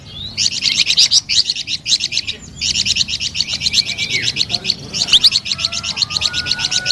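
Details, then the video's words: Energetic, sweet flamboyan bird song: continuous rapid chattering of high notes in linked phrases, with a few clear steady whistles from another source near the end. "SUARA MERDU DAN GACOR BURUNG FLAMBOYAN"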